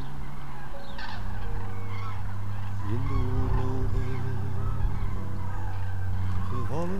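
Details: Common cranes on 9-11-2014 giving harsh, trumpeting honks with rising and falling inflections, a few calls overlapping, over a steady low rumble of wind or distant traffic.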